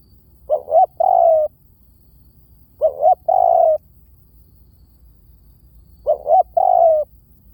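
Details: Decoy recording of a spotted dove: three evenly spaced phrases every three seconds or so, each made of two short hoots then a longer descending coo, clean and without other sounds.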